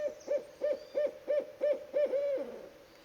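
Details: In spring, at night in North American forest, a barred owl gives seven rapid, evenly spaced hollow hoots, ending in a longer slurred note that fades away.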